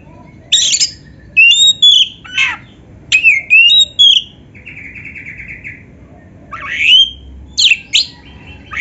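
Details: Kacer, the Oriental magpie-robin, in masteran song: varied sharp whistles and upslurs, a dry buzzy rattling series in the middle, then bright rising notes.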